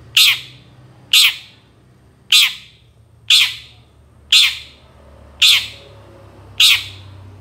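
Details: Long-tailed shrike, recorded as a master track for training songbirds, repeating a loud, grating squawk seven times at roughly one-second intervals over a low steady hum.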